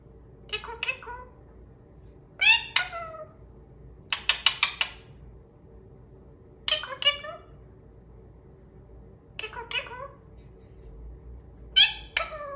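An Indian ringneck parakeet gives short, nasal, word-like phrases of one to three syllables every two or three seconds, some almost like a meow, in a quiet room.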